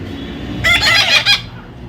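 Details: Young parrot in taming makes a brief, rough, stuttering squawk of a few quick pulses over steady background noise.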